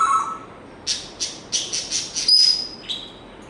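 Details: African grey parrot giving a string of short rising chirps about every third of a second, ending in a clear, steady high whistle note, over a low hiss of room noise.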